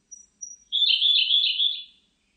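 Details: Siberian blue robin song beginning with two or three faint high whistles, followed by a loud, fast, rippling trill lasting over a second, then silence.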